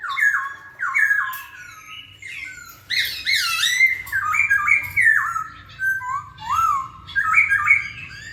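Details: Masked laughingthrush, or poksay Hongkong, delivering a varied song of loud whistled notes that dip and rise, mixed with harsher chattering squawks in quick succession.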